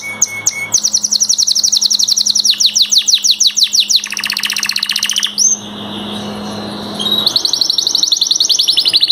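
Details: Three canaries, described as master singers, in a fast song of rapid repeated high trills and chattering rolls, shifting between tours, with a low steady hum underneath and a brief pause before a final high rolling trill.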